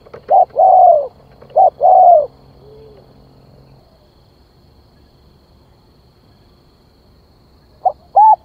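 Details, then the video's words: Spotted dove used as a decoy bird, cooing to draw in wild birds. Two quick phrases of a short note then a longer falling coo open the recording, then a long quiet pause before another brief phrase at the end. "Tiếng Chim Cu Gáy Gọi Kích Mồi"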